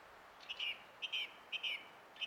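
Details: Song thrush singing on 20 April 2016: a clear, high whistled phrase of two linked notes, repeated four times about every half second, over a faint steady background hiss.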